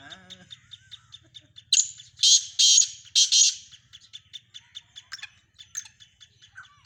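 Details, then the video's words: Black francolin (Sindhi teetar) bursting into one harsh, grating phrase of three loud rasps, surrounded by a steady run of faint dry ticks and a low background hum. "مکس کالے تیتروں کی مکس آوازیں سندھی تیتر"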